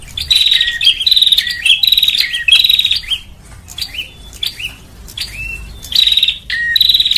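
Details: Bar-winged prinia lure call, used to draw small birds in: loud bursts of rapid, buzzy high chirps alternate with short rising whistled notes, repeated about once a second with brief quieter gaps.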